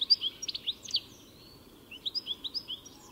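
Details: A European goldfinch sings short bouts of high, clear, liquid chirps, some upslurred, separated by a pause of about a second.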